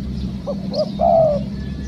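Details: A wild-trapping session yields one clear spotted dove phrase: two soft short coos, then a longer, level, slightly quavering coo lasting about half a second, against a low mechanical hum.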